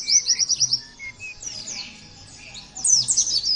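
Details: Pleci, the Oriental white-eye, heard in a song meant to train other birds to copy it. A quick series of thin, high chips opens the phrase, then a softer pause, then a dense burst of shrill rising and falling whistles. A faint low hum sits beneath.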